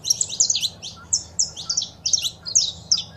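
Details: Saffron finch female calls and male song, played to stimulate a caged bird to sing: rapid series of high, sharp chirps and short buzzy notes repeated in quick bursts over faint low background hum.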